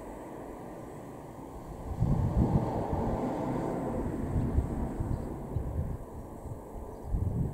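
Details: Steady low rumble of wind and a passing vehicle or aircraft, with no animal calls heard.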